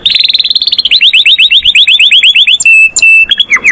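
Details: Canary singing with master-style song, said to call friends and fight: fast trills of rising notes repeated about three per second, then long flat whistles and a brief descending phrase.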